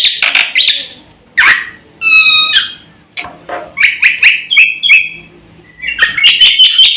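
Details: Black-winged myna in full, energetic song used as a lure and master recording for training birds: bursts of bright whistles, harsh rasping notes and a rising ladder of pure tones, with brief pauses between phrases.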